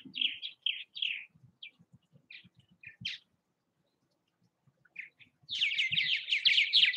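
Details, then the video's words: Purple martins at bird houses in Southwest Missouri give scattered short gurgling chirps, then a pause, then a burst of rapid overlapping chattering notes; soft low thumps or knocks sound in the background. "Purple Martin activity at bird houses."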